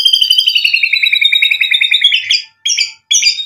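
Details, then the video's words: White-rumped shama in full song, played to provoke rival birds to reply: a long fast trill of evenly repeated whistled notes, slightly falling, followed by two short bright phrases after brief gaps. "MURAI BATU GACOR memancing EMOSI bikin NYAUT ikut BUNYI"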